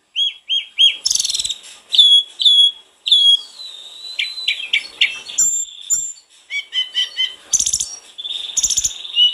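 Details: Snowy-browed flycatcher, a lively singer, used to stimulate another bird to sing: clear whistled notes, short repeated upslurs, a long sliding whistle and scattered sharp chips and trills in varied phrases.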